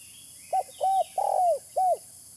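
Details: Spotted dove cooing as a lure: a short soft note, a drawn-out level coo, a longer rolled coo sliding downward, then a final curved coo, all mid-pitched, over steady faint hiss.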